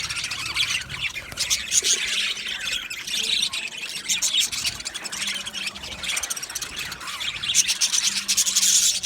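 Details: Male budgerigars in an aviary colony, recorded 8 December 2025: a dense, continuous chatter of high, scratchy chirps and squawks overlapping rapidly, with the flock's warbling rising in bursts throughout.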